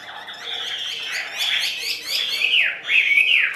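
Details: A Chinese hwamei kept in a cage, the left-hand bird, sings slurred whistles, then loud descending swoops repeated about three times near the end.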